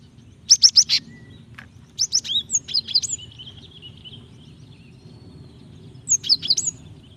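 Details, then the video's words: A female Java sparrow calls to the male to coax him into song; rapid high chirps open, followed by a run of bell-like notes and a thin trailing whistle, then another short burst. "Gelatik betina gacor memancing bunyi PALING AMPUH"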